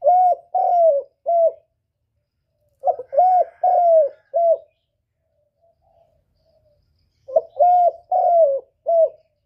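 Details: Spotted dove cooing, used as a lure for trapping and to stimulate kept birds: three phrases of four soft, low, hollow coos, each phrase a few seconds apart. Nothing else is heard.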